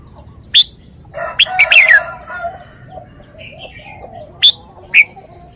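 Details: Red-whiskered bulbul with a few sharp, isolated whistled notes and one brief slurred phrase, partly overlapped by a harsh, crowing sound.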